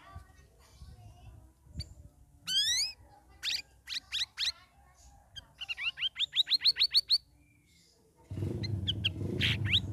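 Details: Caged sooty-headed bulbul after three weeks of ombyokan sessions, ngeriwik ngeplong style: a rising whistled sweep, sharp chips, then a rapid even run of about ten rising notes, followed by loud rushing background noise.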